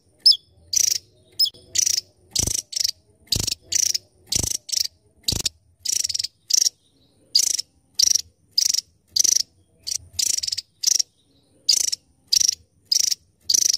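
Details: Javan tesia song: sharp, high buzzy bursts of rapid pulsed notes, each about half a second long, repeated in quick irregular succession with short silent gaps; a few faint low thumps underneath.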